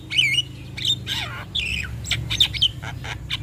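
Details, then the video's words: Male Javan myna used as a lure for other mynas, giving loud harsh squawks and downward-sliding whistled slurs, with a noticeable low hum in the background. "Ocehan Jalak Kebo Jantan Ini Pasti Langsung Respon"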